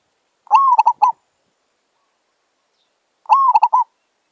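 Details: Zebra dove (merbok), a wild bird met while luring with a decoy: two phrases about three seconds apart, each a rising slurred coo followed by three or four short staccato notes, against a silent background.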